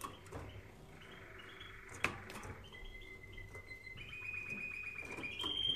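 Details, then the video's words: Canary singing for use in training other canaries: a buzzy trill, a sharp click, then long, pure whistled notes rising in steps, each note held briefly and answered by quick chips. "Canary Singing Video | The Best Canary Training sound"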